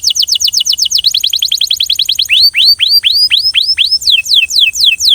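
A Belgian canary sings rapid trills of high, falling whistles, about ten a second, then shifts to slower, deeper swooping notes, several per second.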